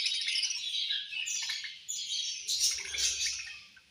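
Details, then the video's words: Feeding-time budgerigars keeping up a busy chorus of high, scratchy chirps and warbled twitters, growing brighter near the end before fading slightly. "Beautiful Budgies Chirping Sounds"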